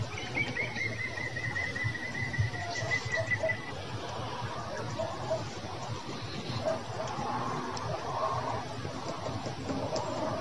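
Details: European green woodpeckers recorded on 13 July 2020; a long, even series of rapid, laughing notes runs for about three and a half seconds, followed by quieter scattered sounds over a steady rumbling background.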